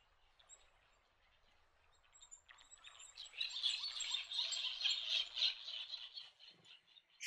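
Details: White terns resting in Norfolk Island pines on the western side of Lord Howe Island give a dense burst of high, scratchy chattering calls, rapid and overlapping for several seconds, after a quiet start.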